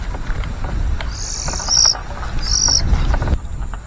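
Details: White-rumped shama nestlings calling as a parent feeds them: two high, hissing begging bursts, the first longer and the second short, over a low rumbling background.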